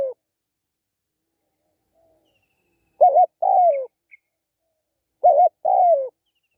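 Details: After a quiet stretch, a spotted dove gives two matching phrases a little over two seconds apart, each a short wavering coo then a longer downward-sliding one. A faint high tick occurs between them.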